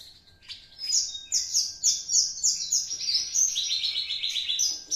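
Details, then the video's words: A two-month-old captive Horsfield's bush lark from Java starts to arrange its song from copied master material. Shrill, downslurred notes repeat rapidly, about three or four a second, in a bright, rattling series. "branjangan java usia 2 bln sudah mulai membawakan materi masteran nya"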